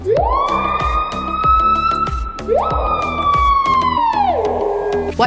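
Screaming Piha: two very loud, ringing whistles, each swooping upward and held, the second ending in a falling slur, over a steady beat of background music.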